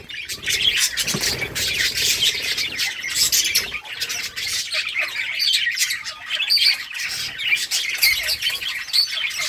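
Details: Group of colorful pet budgerigars at play, August 25, 2023: nonstop high-pitched squawky chatter from many birds at once, a steady rolling chorus with occasional louder chirps rising above.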